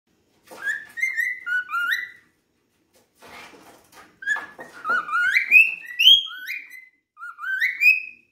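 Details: A cockatiel sings at length, whistling bright rising and falling slurred notes strung into quick phrases, with a few scratchy chatters between them, in a quiet room.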